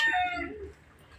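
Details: Captive common hill myna imitating a woman's voice, one of three talking birds; a brief loud harmonic vocal phrase falling in pitch and fading within under a second, with faint background music.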